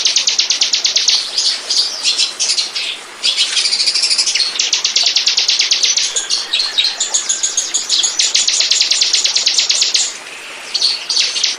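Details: Lure recording of bar-winged prinia for attracting birds: extended rapid trills of sharp high notes with brief dips in loudness, a short pause near three seconds and another near ten seconds.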